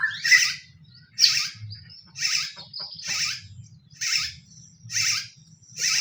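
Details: White-rumped shama lure recording to provoke other shamas to sing: harsh, buzzy, broadband chatter bursts repeated about once a second, separated by short pauses, over a low hum.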